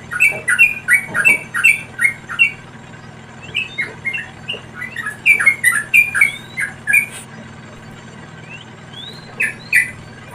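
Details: Wild yellow-vented bulbul chicks being fed by a parent: a busy run of harsh, squawky chirps repeated in quick bursts, with a few thin rising whistles mixed in near the end.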